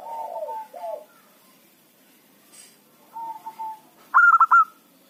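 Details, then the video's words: Zebra dove of local stock used as a lure for catching wild birds. Low, breathy coos are followed by a sharp, loud, ringing phrase of quick pulsed notes near the end. "perkutut lokal gacor pancingan ampuh suara keras kecil cocok untuk pikat lawan"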